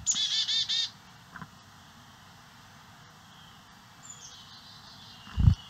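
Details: Carolina chickadees bringing insect eggs and larvae to nestlings in St. Cloud, Osceola County, on native-plant landscaping; a loud run of four quick buzzy, harsh notes opens, then faint chips, a thin high whistle and a heavy thump.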